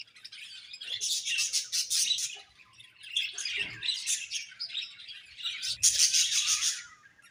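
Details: Budgerigars in a pairing setting chatter with dense, rapid chirps and scratchy warbles, bursts running several times a second with brief pauses, plus a louder burst of bright twittering near the end.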